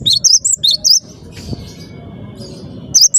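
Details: Cinereous tit in lively song, giving a short run of bright, high whistled two-note figures for about a second, then quiet low background noise before one more brief whistle at the end.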